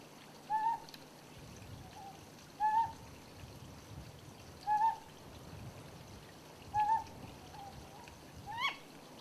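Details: Ryukyu scops owl (Otus elegans) on Yonaguni gives short, slightly rising hooted notes about every two seconds, then a sharper, higher note; the same individual gave both the presumed male two-note and female one-note calls. Soft hiss throughout.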